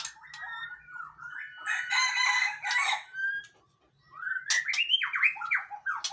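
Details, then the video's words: Male white-rumped shama of the Aceh type sings loud whistled phrases mixed with harsh, buzzy bursts, pauses briefly near the fourth second, then resumes with rising and falling slurred whistles. "Murai Aceh # Jantan Tangguh"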